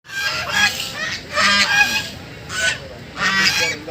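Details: Ducks playing on Bhimtal lake give four loud, harsh, honking calls in four seconds. Each is a raspy, nasal burst about half a second long, with a low background murmur between calls.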